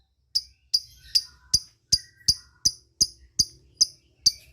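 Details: Lovebird calling companions in the ngetik style, used to prompt untrained birds to answer; eleven crisp, high, clipped chirps spaced about every half second, with faint thin whistles between.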